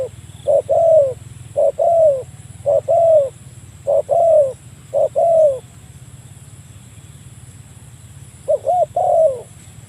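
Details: Spotted dove calling a rival, used for luring birds: a series of short, mellow, falling coo phrases repeated about once a second, then a pause and a final double-noted phrase, with a faint background hum.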